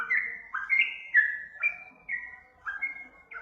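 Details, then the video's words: Brief sooty-headed bulbul lure song: a few rich, slurred whistles rising then levelling off, spaced roughly half a second apart. "Suara pancingan trucukan"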